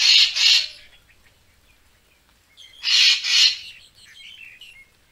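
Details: Two doubled harsh rasps of a racket-tailed treepie, about three seconds apart, with faint chattering notes after, from a lure recording for bird photography.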